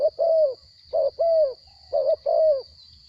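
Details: Captive spotted dove, caught from the wild and noted for a small voice, repeating soft coos. It gives three phrases of a brief note followed by a sustained, gently descending coo, about once a second. A thin electronic hum is present.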